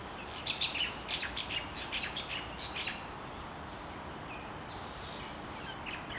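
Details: Wild chickens in Hawaii, a mother hen uncovering her chicks; high, thin peeping chirps come in quick clusters through the first three seconds, then grow sparse and isolated, over a steady hiss of outdoor background noise.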